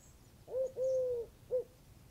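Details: Dove cooing: a soft, low three-part phrase, a short coo, then a long, level drawn-out coo, then a brief final coo, against quiet background noise.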